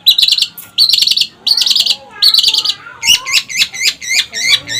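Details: Long-tailed shrike song: rapid stuttering chatter bursts, then a string of repeated slurred, upward-curving whistles.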